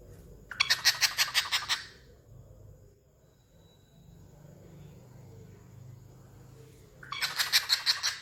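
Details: A cockatiel (Nymphicus hollandicus) mimics a witch's laugh with a harsh, pulsing cackle, a quick run of rasping notes repeated twice.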